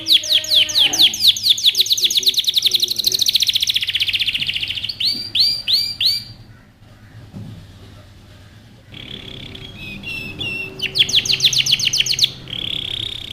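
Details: Canary song meant to train young birds: a fast rolling trill of sweeping chirps, short bursts of looping notes, a quieter lull with faint sounds, then renewed bright trills and buzzy phrases.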